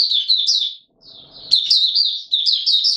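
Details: Mata Puteh Raja white-eye singing in warm humid weather, March 2022: fast, bright twittered phrases, a brief silence, then a sharp burst of jumbled high chirps.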